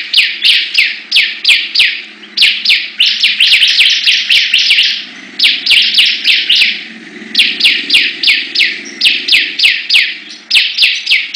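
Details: Bar-winged prinia (ciblek) in a singing contest: bursts of loud downslurred chirps about three a second, with short pauses between phrases and crisp ticks above.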